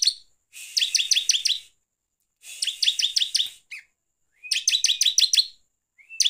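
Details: A bar-winged prinia, a lure recording meant to provoke other prinias, sings in three quick bursts of high, bright chirping notes, each burst about a second long and coming every two seconds.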